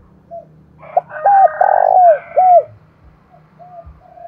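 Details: Cooing decoy spotted dove luring wild doves, voice style called thổ đồng; a short soft note, then a loud burst of three arched coos with a long sustained middle one, quieter coos after, faint crowing behind.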